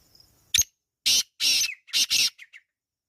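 Black drongo giving four loud, harsh rasping bursts in about two seconds, each ending in a brief twangy note, followed by two soft chips.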